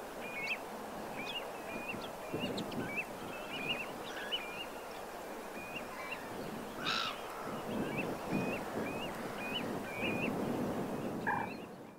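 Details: Autumn linnets on a Morbihan beach at Pointe de Penvins, 28 September 2022, giving brisk clipped twitters repeated at about half-second intervals, while waders call faintly and one louder harsh note stands out over continuous wave noise.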